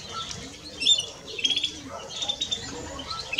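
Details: Male and female European greenfinch twittering: short, bright chirps and brief trills in quick groups. Faint low notes sound in the background.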